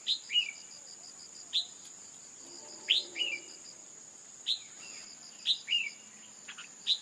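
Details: Female red-whiskered bulbul call intended to rouse a male to song: repeated high chips each followed by a lower falling chirp, irregularly spaced, over steady cricket-like whining.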